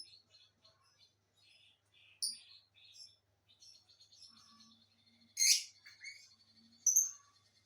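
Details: A pair of lovebirds keeps up low, scratchy twittering and squeaks, punctuated by a few sudden high chirps and one loud harsh screech in the second half.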